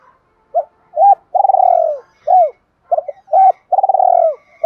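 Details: Spotted dove, 'thổ' voice lure to prompt wild doves to coo. Two full phrases follow each other closely, each made of short soft coos and a drawn-out vibrating rolled note, in steady low tones.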